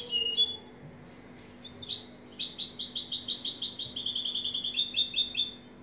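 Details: European goldfinch giving scattered high chips that build into a sustained, rapid, silvery twitter of repeated notes ending in a sharp rising flourish.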